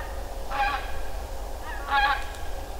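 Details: Geese flying overhead near the Ptasi Raj reserve, Poland, in late autumn give two nasal, honking calls about a second and a half apart, over a steady low rumble of wind.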